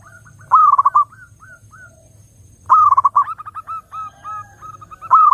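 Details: Zebra dove singing, played to attract other doves: clear, rapid cooing bursts roughly every two seconds, each a quick staccato rattle of coos followed by slower, fading single coos, with a faint low hum beneath.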